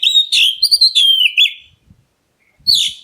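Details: White-rumped shama of the black-breasted type singing to draw replies from other birds: a rich run of whistled notes sliding downward, slurred and warbled for over a second, a brief pause, then another bright burst.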